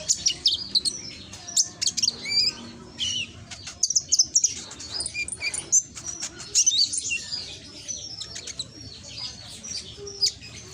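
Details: Konin lure song from Gresik, East Java, loud and ringing, meant to provoke lazy konin into answering; dense high chirps and short whistled trills, with quick upslurred notes and twittering bursts throughout, recorded on a phone.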